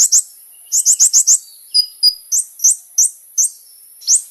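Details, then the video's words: Sunbird known as kolibri ninja, its song used as a lure: quick clusters of high, upslurred chip notes, some in runs of four or five, with thin whistled notes and spaced single chips between them. "SUARA BURUNG KOLIBRI NINJA GACOR"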